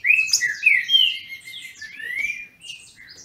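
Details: Trinca-ferro, or Green-winged Saltator, from a captive Brazilian breeding stock, in a song dispute: strong opening whistles fading into softer, drawn-out descending phrases.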